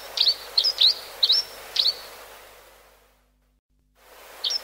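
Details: Four crisp, upward-flicking chirps from a grey-hooded sierra finch, a brief silence, then one more chirp near the end, against low background noise.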